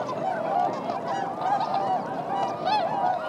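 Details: December 2014 swans in flight over Motono rice paddies, Inzai, Chiba, Japan, part of 905 birds; bugling honks from many birds, a few distinct drawn-out notes heard roughly twice per second over the crowd.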